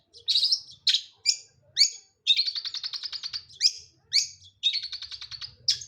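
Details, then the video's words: Long-tailed shrike in full song, alternating single harsh rasping notes with rapid buzzy trills that run for about a second each, loud and close. "Burung Pentet gacor"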